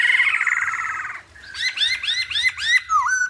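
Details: Hwamei in song: a buzzy fluttering trill for about a second, a short pause, then five or six loud rising whistled notes repeated quickly, ending on a dipping slur.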